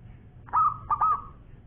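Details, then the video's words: Champion local perkutut (zebra dove) in lively long-voice song. One phrase of a clear coo followed by two short stuttered notes that stretch into a sustained trailing tone, with a quiet background. "Bunyi Perkutut Lokal Gacor Suara Panjang Juara"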